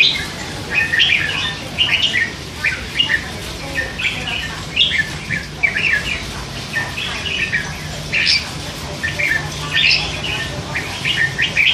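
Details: Hand-fed young red-whiskered bulbul, three months old, caged, chattering all day: a steady run of short warbled and chirped notes between mid and high pitch, with occasional brighter whistled phrases, over a low steady hum.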